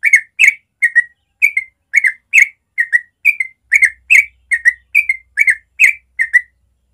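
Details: Sooty-headed bulbul (trucukan) singing natural morning ropel: a long, unbroken series of chirpy, liquid whistles in twos, evenly spaced roughly every half second throughout.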